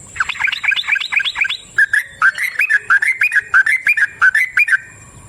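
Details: Trucukan, the yellow-vented bulbul, in a 'ropel' lure song to set other birds singing: fast wavering chirps, then a steadier series of clear, looping notes repeated about three times a second.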